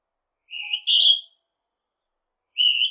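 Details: Northern hawk-cuckoo's piercing two-note whistle, a softer lower note leading into a louder higher one, then the next call begins after a short pause.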